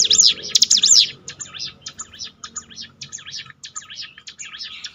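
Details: Bar-winged prinia song used to train a bird's mental strength: a loud opening pair of high, sweeping trilled phrases, then softer, quick, scratchy high notes chattering steadily to the end.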